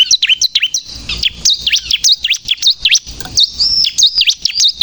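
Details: Bar-winged prinia singing energetically, a recording meant to lure and provoke other birds: piercing high notes dipping and rising in quick V-shaped slurs, uneven and busy, with faint rustling between.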